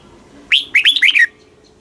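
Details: Single quick phrase from a Red-whiskered bulbul, southern Thai master style, played to caged birds: a rising whistle followed by four fast, bouncing slurred notes in under a second.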